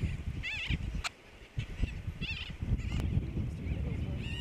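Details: Brown booby (Sula leucogaster) at Johnston Atoll on June 16, 2001, giving harsh, honking calls with a wavering upper tone, spaced a couple of seconds apart, over heavy wind rumble.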